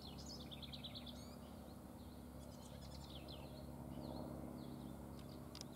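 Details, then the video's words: A house wren (Troglodytes aedon), assumed a juvenile from its behaviour, begs at Ridgefield Wildlife Refuge, Washington: rapid, high, thin chips and short twittery notes, several per second, over a steady low rumble of background noise. "House Wren (Troglodytes aedon) - Begging"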